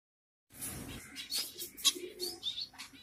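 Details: Mixed finches in Kerala, including zebra, Bengali and yellow-necked finches, giving short high chirps and thin twittering notes after a brief silence, with a faint low murmur underneath.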